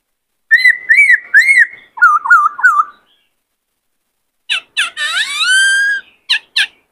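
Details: Male white-cheeked laughingthrush in a cage, agitated into singing to spur on a newly caught bird. Arched, buzzy whistled notes and a wavering trill are followed, after a pause, by sharp clicks and a long, falling, harmonic-rich whistle.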